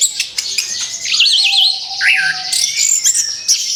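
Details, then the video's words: Recently moulted orange-headed thrush in a song therapy recording: wavering warbled trills that swoop up and down, mixed with high sharp chips and a faint steady low whistle. "TERAPI ANIS KEMBANG BARU LEPAS BULU, SIAP BUKA PARUH LAGI"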